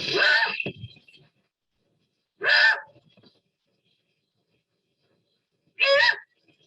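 Great Horned Owl giving three harsh, raspy squawks, each about half a second long and spaced roughly three seconds apart.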